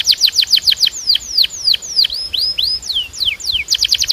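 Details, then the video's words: Belgian canary delivers a series of clear downward-sweeping whistles at a moderate pace, finishing with a burst of rapid trilled notes. "Your Belgian Canary Might Sing NON-STOP After This"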